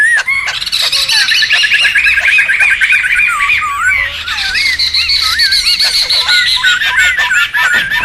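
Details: Several wild laughingthrushes in a noisy bout, used to lure and tutor birds: a fast rattling chatter early on, then a long run of overlapping looping whistles and harsh squawky notes.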